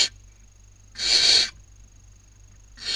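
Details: Barn owl nestlings in Cabañeros National Park, Spain, 2019 breeding season, fighting over a meal. One full, grating hiss in the middle, with the tails of others at start and end.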